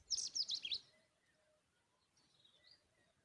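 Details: Tailorbird at its nest feeding a butterfly to its chicks gives a quick burst of four sharp, high chirps in under a second, followed by a faint thin whistle over a quiet background.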